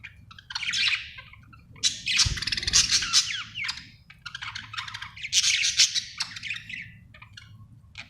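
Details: Happy budgerigar chirping: rapid bursts of warbled, buzzy notes and chatter, in phrases of a second or two separated by short pauses, with a faint low hum beneath.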